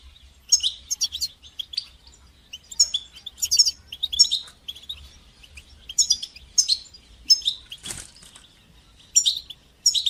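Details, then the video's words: European goldfinch song meant to encourage young goldfinches to sing, with bitbita and sitsita phrases: bursts of bright, tinkling twitters and buzzy trills come roughly every second, separated by short pauses, with one brief thud near eight seconds. "تقنيات تحفيز طيور الحسون لتشجيع نجاحها في التغريد بتبتة وستستة"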